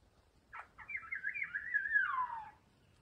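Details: A Maroon Oriole (Oriolus traillii ardens) at a nest during chick feeding gives a begging call: two short rough notes, then one drawn-out nasal, wavering cry that slides downward over about two seconds. A faint background hum sits beneath.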